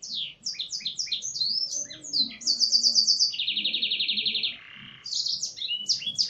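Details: Canary with Blackthroat-style song: a series of high descending whistled notes, then a long fast rattling trill that drops to a lower buzzy phrase before the whistled notes return.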